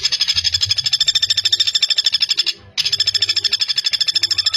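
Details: Fast, sharp rattle from a common flameback, recorded as tutoring material for young songbirds, with a short cut in the middle before the same rapid series resumes.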